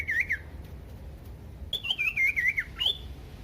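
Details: Common iora song meant to trigger other ioras to sing: a brief wavering whistle, a second-long gap, then a quick chain of rolling, up-and-down whistled notes ending on a higher upslur.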